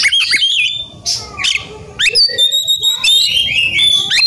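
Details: Oriental magpie-robin singing hard in an agitated mood while seeking a rival: piercing whistles and rasping notes, a brief lull, then sustained bright, strained trills.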